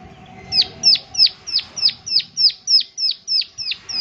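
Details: Prinia 'klik klik' call delivered as a clean, rhythmic string of eleven piercing high clicks that drop sharply in pitch, about three per second, on a very quiet background.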